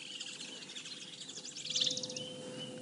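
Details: Woodland kingfishers, several flying nearby but unseen, during a morning game drive on 3 December 2016: a brief, high, rapid chattering trill, thought to be given when a male and female meet, over a steady low hum.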